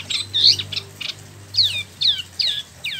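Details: Wambi Mini, the Spot-throated babbler, kept caged for a year in Bandung, West Java, newly moulted, imported from mainland China or Vietnam. Bright down-slurred whistled notes come one at a time, roughly every half second, high and clear.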